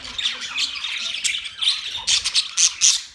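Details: Budgerigars recorded on October 11, 2023, giving dense overlapping chatter of high chirps and scratchy squawks, with several louder bursts of sharp calls toward the end.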